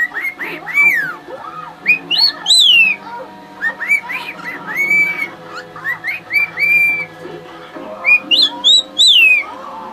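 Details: Male pet bird showing off for his mate with a long, varied whistled performance of swooping upslurs and downslurs, some very high, broken by soft lower chatter over a faint steady hum.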